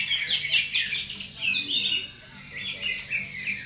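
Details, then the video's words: Cucak ijo, the greater green leafbird, in a contest masteran of rough bursts (tembakan kasar) and combination phrases: loud, rapid, high warbling and chirping runs, then sharper piercing notes, with faint low background noise. "MASTERAN CUCAK IJO lomba FULL TEMBAKAN KASAR,KOMBINASI"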